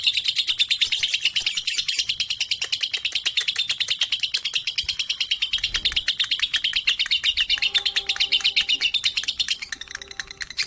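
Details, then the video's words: Lovebird aged three and a half months, described as suitable for tutoring, chattering in a dense, fast series of high chirps that fade toward the end, with a faint low tonal sound in the background. "Lovebird 3.5 🌒 berani trek dengan dewasa dan Cocok buat masteran"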